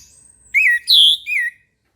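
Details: Morning song of an Orange-headed thrush, one phrase: slurred whistle, then a louder higher drawn note, closing with a short falling whistle. A faint thin high tone precedes it.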